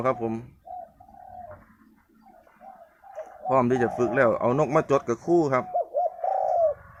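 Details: A spotted dove in training condition, said to be ready for training, gives soft, mellow coos on a steady low pitch in short phrases between a man's speech, which dominates the middle.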